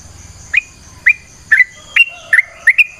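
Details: Yellow-vented bulbul in natural surroundings giving a short string of clear whistled notes, roughly two per second, some doubled, over a quiet background with a faint high hiss.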